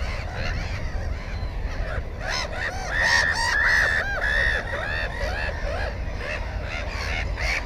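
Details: At a nest with an egg and a newly hatched chick, GoPro 4 recording from 15 May 2016: a Black-headed gull's drawn-out, grating cries swell loudly mid-clip amid quicker clipped calls from nearby gulls and low wind rumble.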